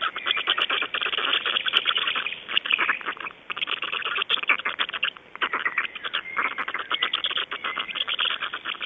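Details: Early-morning black storks in Estonia, 26 May 2012 at 05:15, give sustained rattling: fast clattering bursts in long runs, with brief pauses near the middle and a few thin whistled notes mixed in.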